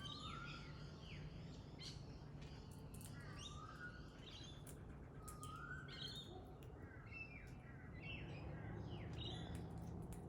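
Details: Pale-headed rosella chattering with rapid, downward-sweeping chirps and clipped harmonic notes, mixed with occasional soft rising whistles, all over a continuous low background drone.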